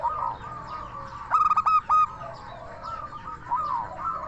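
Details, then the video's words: Local zebra dove in full song, its so-called crystal voice, used as a lure so other doves answer: a loud burst of quick stacked coos followed by two longer notes, over a steady chorus of many softer cooing doves. "Perkutut Lokal Gacor SUARA KRISTAL Ahlinya Bikin Semua Burung Perkutut Langsung Nyaut"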